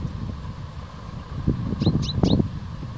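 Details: Common chaffinch giving three brief, high, sharply downslurred notes in quick succession, nearly masked by steady low rumbling, wind-like and traffic-like noise.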